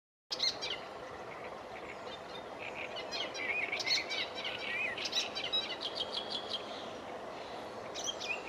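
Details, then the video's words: An Icterine warbler sings a fast, varied run of high chattering, whistled and scratchy notes with repeated phrases, over a steady background hiss. "sedmihlásek hajní (Hippolais icterina) Sedmohlások obyčajný/Icterine warbler/Gelbspötter"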